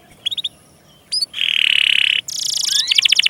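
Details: Canary lure song for young birds and those that have stopped singing: soft chips, a couple of rising notes, then a sustained buzzy trill and a bright rattling phrase, over a faint hiss.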